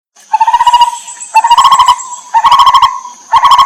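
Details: Wild lineated barbet, an Asian barbet of the Terai, calling while a mother feeds her chicks: four bursts of rapid, deep hooting pulses about a second apart, each trailing into a low hum, over a steady high whine.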